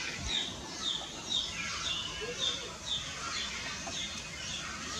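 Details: Common myna, also called Indian myna, giving short downslurred chirps repeated about twice a second in an even rhythm. A fainter low warble sits beneath them, with steady background noise throughout.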